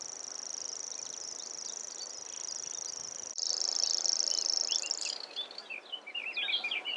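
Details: Common grasshopper warbler delivering its long, shrill reeling trill, steady for about five seconds, growing louder midway, then fading out as other birds' quick chirps and whistles take over.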